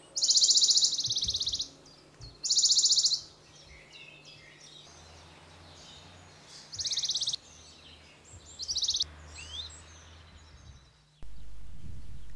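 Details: On Spanish plateaus between Aragon and Extremadura, a Western Bonelli's Warbler sings four short, dry, high trills, each under a second and a few seconds apart, over faint chirps from other birds and a low rumble.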